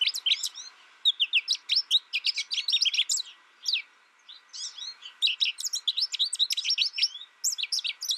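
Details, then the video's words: Rapid, continuous high-pitched twittering from an American goldfinch, dense bursts of chirps and slurred notes with one short pause near the middle before the chatter resumes. "American Goldfinch Sound"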